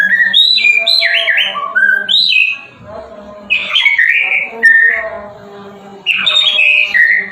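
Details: Loud murai batu (white-rumped shama) song of rich, full whistled phrases that swoop down and up, delivered in three bursts separated by short quiet gaps.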